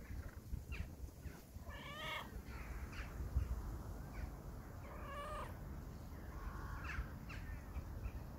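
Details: Crows calling: harsh, hoarse caws with stacked harmonics, heard as three bursts of a few quick notes, the loudest near the start and middle, over a steady low rumble of background noise.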